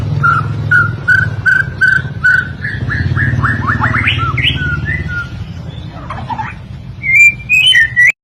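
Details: Master recording of a white-rumped shama singing, meant for training other songbirds: a run of evenly spaced clear whistles, then rising and falling sweeping notes, closing with sharp high whistles, over a steady low humming background.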